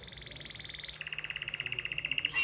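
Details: An excited canary sings a brief, high, rapidly pulsed trill that shifts abruptly to a second, slightly lower rolling tour and ends in a sharp note.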